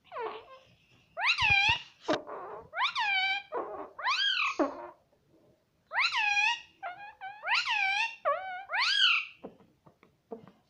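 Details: Talking pet parrot voicing mummy over and over, with arched harmonic syllables in pairs and triplets and a short gap near the middle. Scattered clicks are heard between phrases.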